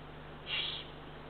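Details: Eurasian eagle-owl owlet, the third chick, walking on the ground at 7:35 pm on 24 June 2023, ringed: a single breathy, rasping hiss lasting about a third of a second, high and noisy, over a steady low hum.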